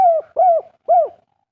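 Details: Spotted dove, local natural stock, singing energetically in the 'kuk 3' pattern: three mellow, arched coos, the first two close together and the last after a short gap, steady in pitch, no other sounds.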